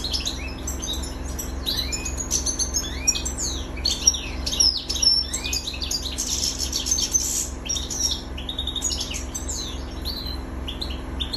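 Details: Highly excited male goldfinch in full song, used for tutoring young birds and arousing females; long run of fast, jingling twitters, buzzy trills and rising whistled slurs, nearly continuous, over a constant low electrical hum.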